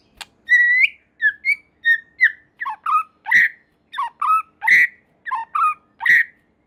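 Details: White-rumped shama in strong song, said to spur other shamas to sing: evenly spaced clear whistled phrases, each a pair or trio of rich notes, repeated about every half second.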